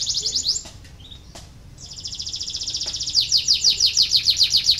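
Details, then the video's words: Canary song used as a lure to stimulate lazy canaries into singing: high, bright trills of rapid repeated notes, a short burst, a pause, then a long rolling trill growing louder and more pulsed toward the end. "KENARI BELAJAR BUNYI UNTUK MERANGSANG BUNYI- pancingan kenari malas bunyi"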